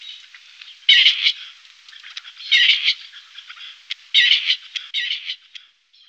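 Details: Grey partridge calling: harsh, grating, rasping bursts, each split into two or three quick scratchy notes, repeated roughly every one and a half seconds over a steady background hiss.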